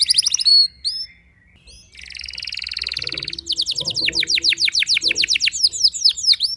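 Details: Canary singing in a lively, varied song said to provoke rival canaries: rapid high trills, a buzzy rattling passage, then a long run of quick rising chirps repeated about twice a second, with brief pauses between phrases.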